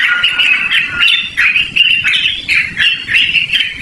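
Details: Yellow-vented bulbul in a loud, lively song used for luring or training birds: a steady run of warbling, gurgling phrases with uneven rhythm and slight pitch wavering, over a soft, rough background rustle.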